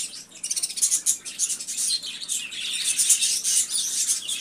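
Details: Budgerigars warbling after a brief quiet start: a lively run of high chirps, squeaks and rasping twitters that stays busy to the end.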